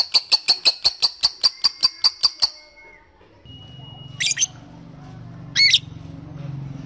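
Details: Lovebird calling a rival as a lure for long chattering: a burst of about a dozen sharp, ringing chips in quick succession, followed by a thin whistle, low hum and two short squeaky bursts.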